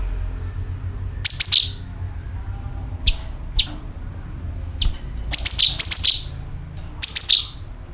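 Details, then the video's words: Lure recording of sooty-headed bulbul calls and dragging notes: quick pairs and triplets of high, sharp, downslurred chirps spaced by pauses, with a quiet low hum behind. "CUCAK KINOI ||PANCINGAN PALING AMPUH TERBUKTI PASTI IKU BUNYI SUARA PANGILAN + NYERET"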